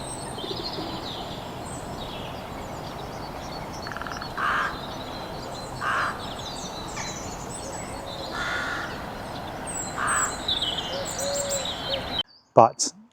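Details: Rooks calling from a tree where they were nesting in the New Forest in March, at first mistaken for a raven. Harsh, hoarse caws come roughly every one to two seconds over steady background hiss, with faint high chirps from other birds.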